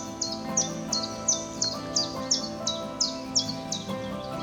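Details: Common Chiffchaff in spring (April) in Kociewie, southern Gdańsk Pomerania, Poland, singing a steady run of high, chipping notes alternating in pitch, nearly three per second, over soft background music.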